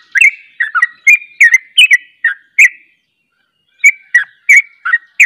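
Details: Sooty-headed bulbul performing fast 'ropel' song as a second bulbul joins. Bursts of bubbly, chirpy slurred notes, then a pause of about a second before another quick run of notes.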